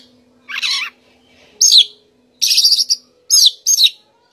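Oriental magpie-robin singing five quick, varied phrases of high whistles and scratchy chatter, each under half a second, over a faint steady low hum.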